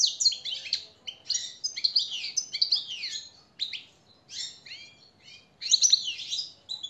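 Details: European goldfinch master song for teaching captive birds: phrases of bright, jangling twitters and quick slurred notes, broken by short pauses, with a final loud burst of tinkling chirps.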